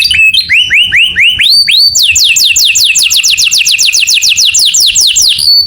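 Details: Canary song in the morning: a few lower looping whistles that climb into a long, steady roll of high, sharply rising notes repeated about five times a second.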